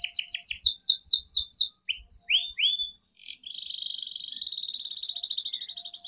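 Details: Canary master song for young birds: quick repeated whistled notes, a few separate upward sweeps, a brief pause, then a long buzzy rolling trill.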